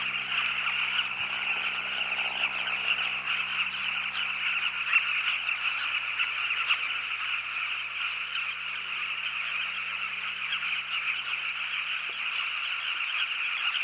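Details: A dense breeding colony of Southern carmine bee-eaters (Merops nubicoides) on the Zambezi River, many rolling, throaty calls overlapping into a steady mid-pitched din, with a faint low hum underneath.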